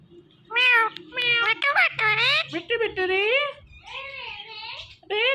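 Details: Pet Indian ringneck parakeet chattering "Mitthu": a rapid string of voiced, word-like syllables, some rising and some falling in pitch, followed by a softer wavering phrase and one more word at the end.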